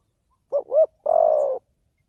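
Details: Single phrase from a spotted dove decoy used for trapping: two quick, soft rising-falling coos, then one longer, rough, level coo, set against silence.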